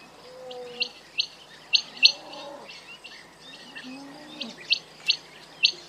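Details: Quail calling with a run of short high chirps, some doubled, spaced irregularly across several seconds, with soft lower tonal murmurs in between and a quiet hiss behind.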